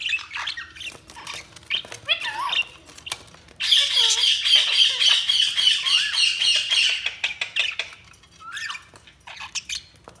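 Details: Budgies warbling and chirping, with scattered squawks and short whistles leading into a long dense stretch of rapid, continuous chattering from several birds.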